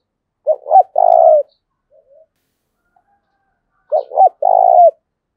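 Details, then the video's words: Spotted dove cooing, used to stimulate and train decoy doves: two phrases about three and a half seconds apart, each made of two short hiccuping notes and then one long, steady, drawn-out coo. Quiet between phrases. "Tiếng cu gáy thúc bổi, tiếng gáy để anh em tập bổi"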